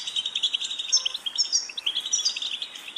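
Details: European goldfinch song for training a bird to sing: rapid, liquid twittering with bright, sharp notes running almost without pause for about three seconds.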